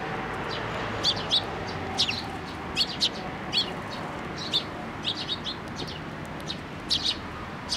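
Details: Fledgling sparrows coming to a post for food at a Tenmangu shrine on 25 May 2024, calling in a lively run of brief high tweets, often doubled or tripled, every second or so over low ambient hum.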